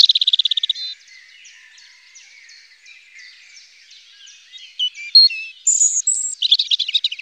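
A European robin sings a high, rambling phrase: a quick buzzy trill, soft thin warbling, then bright, sharp whistled notes near the end.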